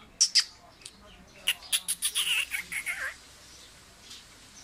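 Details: Tame Sindhi black francolin (kala teetar), a friend's kept bird described as completely fearless: two sharp high chirps, then a quick harsh run of grating notes over about a second and a half, followed by quiet.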